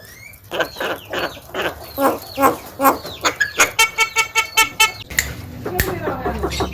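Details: Talkative young Javan myna chattering: harsh, busy notes give way to a fast, even burst of sharp clicking notes, then rougher calls, with a low rumble behind.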